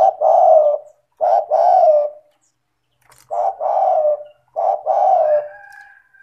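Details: Tekukur or spotted dove in active calling form, used to stir lazy doves into calling: three low, mellow coo phrases, each a short note followed by a longer one, separated by brief silences.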